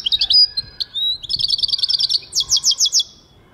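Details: Goldfinch singing in 2023: high chirps open into a thin whistled note, then a fast even trill and a series of sharp, ringing downward-slurred notes, crisp and loud against a quiet background.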